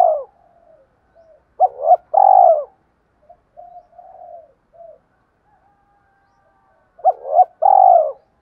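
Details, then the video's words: Spotted dove cooing as a lure for wild doves. Faint low murmurs surround two loud phrases, each a quick hooked note and a long vibrating coo, spaced about five seconds apart. "tiếng chim cu gáy kích bổi nhanh nổi, bổi nghe rất nhanh về cội"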